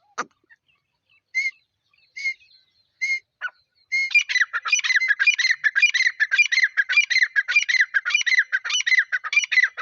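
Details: Grey francolin (dakni teetar) accompanied by chicks: a few separate sharp notes early on, then from about four seconds a loud, rapid, continuous run of harsh, grating repeated notes lasting to the end.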